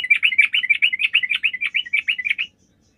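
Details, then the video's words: Yellow-vented bulbul in full song, used as a lure to make other bulbuls answer, gives a quick, bubbly chatter of about sixteen liquid notes in two and a half seconds, then stops. "PANCINGAN TRUCUK GACOR"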